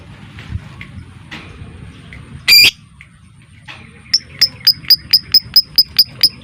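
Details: Lovebird lure sound: soft chirps, then one loud rasping squawk, a short lull, and a fast, regular string of bright ticking notes in ngetik ('typing') style filling the last two seconds.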